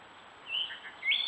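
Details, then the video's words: Gray catbird in woodland along a stone wall in Strafford County, New Hampshire, recorded by trail camera; short, clear whistled notes that slide upward, a brief lower note between them, the last note rising and held. "Gray Catbirds doing their Courtship Display, Posturing, Meow Call, Singing, Mimicking and more..."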